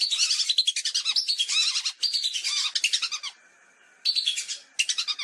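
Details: Lesser whistling duck calls used as a hunting lure: dense, rapid chattering whistles from several birds overlap in a continuous stream, pause briefly near the end, then resume.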